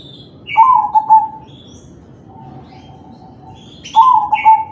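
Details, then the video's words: Zebra dove of crossbred kalung tempuk type in manggung song, a lure recording to get other doves singing; two stuttering coo phrases with a soft, steady low coo between them and scattered high chirps. "Suara perkutut crossing manggung || Perkutut crossing kalung tempuk || Pancingan perkutut lain"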